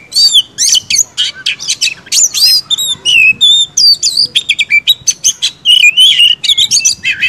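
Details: White-rumped shama, known locally as kacer, giving a lively run of clear whistles, sharp chips and raspy buzzes that repeat rapidly without a break.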